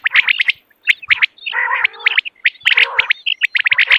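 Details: Common quail in the morning: crisp clipped notes in rapid little bursts, with two longer, lower, nasal buzzing phrases in between, then more quick chirps to the end.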